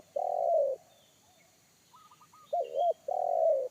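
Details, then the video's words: Deep-voiced wild spotted dove calling in forest, 'kuk satu' style, enough to frighten a trained lure bird; a long low coo, a pause with faint quick higher notes, then a wavering double coo and another drawn-out coo. "SUARA TEKUKUR INI‼️SUARA BESAR NGEBASS"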